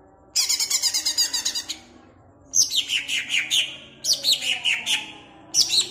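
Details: Caged greater green leafbird from Jatirejo, Ampelgading, Pemalang, singing to rouse other leafbirds: a rapid run of sharp, high chirps, then a pause, then bursts of downward-sliding whistled notes, each phrase of quick repeated elements.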